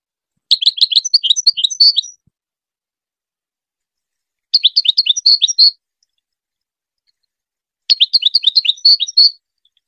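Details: Goldfinch song for tutoring hybrid chicks: three lively phrases of fast, high-pitched twittering and trilled notes, each about a second and a half long, separated by short quiet gaps.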